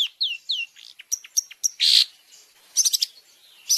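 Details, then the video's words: Long-tailed shrike song with varied fill-in phrases for caged birds: three falling whistles, scattered short chips, a loud harsh rasp lasting about a third of a second, then clusters of high chattering notes. "Masteran Burung Cendet Terbaik 2026 | Full Isian Juara Nonstop"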